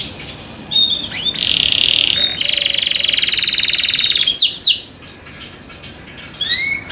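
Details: Caged canary kept by a breeder, singing loudly: a dense buzzing trill held for over a second, then a second long rapid rattle, followed by sharp upward-sweeping whistled notes and a quieter pause with background hiss.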